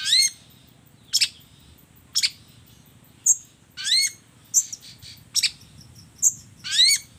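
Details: Long-tailed shrike singing a spaced mimicry sequence: loud, sharp, high notes with quick rising inflections roughly once a second, alternating with tiny thin pips.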